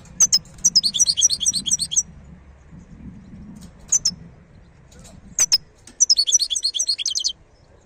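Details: Wild European goldfinch delivering two bursts of fast, high, jangling twitters separated by single sharp clicking call notes, over a soft low rumble.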